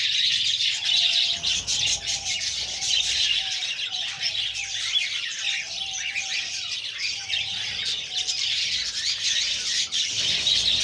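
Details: Budgerigar babies being fed by the female make a fast, uneven stream of harsh, squawking begging notes, several a second, with a faint low hum.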